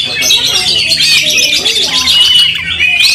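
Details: Short burst from an angry Oriental magpie-robin with spread tail: dense high twittering and thin whistles in rapid succession, closing on a rising note.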